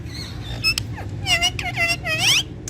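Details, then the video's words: Rose-ringed parakeet kept as a pet, talking face to face in Urdu or Hindi: short harmonic speech-like syllables with a gliding tone, over a steady low hum. "Ringneck Talking Parrot Speaking Face To Face In Urdu Hindi"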